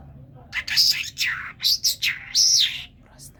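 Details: Talking common myna from Kerman producing a speech-like string of whistled and rasping syllables, with a long level whistle near the end.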